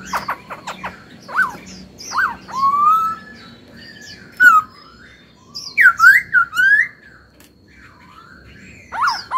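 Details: Laughingthrush kept as a songbird: a series of short clipped notes opens, then slurred rising whistles and a lively run of loud, warbling phrases toward the end, over a steady low background murmur.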